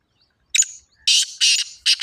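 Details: Black francolin calling: a brief scratchy opening note, then three loud, rasping, buzzy notes spaced about a third of a second apart, ending on a further clipped note, with silence around them.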